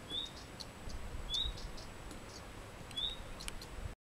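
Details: Common redstart chicks at a nest by a holiday flat in Maggia, Ticino, Switzerland, begging as the female feeds them. Three thin, high, slightly falling whistled notes about 1.4 seconds apart over a quiet background with faint clicks.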